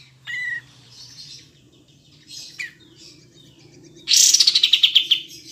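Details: Triller (kapas tembak) from a clear training recording for songbirds: faint scattered thin notes over a low hum, then a loud rapid burst of descending chirps near the end.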